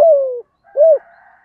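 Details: Decoy spotted dove, thổ voice style meant to provoke wild doves: the tail of a long descending coo, a short pause, then one rounded, arching coo.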